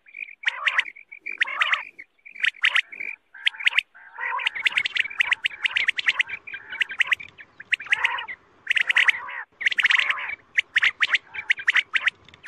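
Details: Quail call played at night to lure quail for hunting: harsh, chirpy bursts with layered harmonics, repeated roughly once a second in irregular runs, some notes rising and wavering, with short gaps between phrases.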